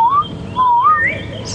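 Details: On a morning safari drive at Djuma Game Reserve, South Africa, on 5 November 2015, in warm, diffused light, a Southern Boubou gives clear, liquid whistles: a short rising note, then a longer wavering one sliding up higher, over faint hiss.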